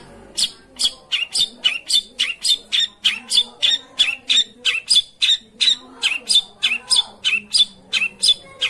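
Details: Long-tailed shrike calls for prompting a bird that refuses to sing, a steady series of harsh, buzzy chack notes delivered about three per second without pause.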